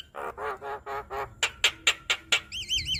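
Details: Javan myna song used as a master recording to train and prompt captive birds to sing: a run of harsh, buzzy harmonic notes, then sharp clicks, ending in rapid wavering whistles.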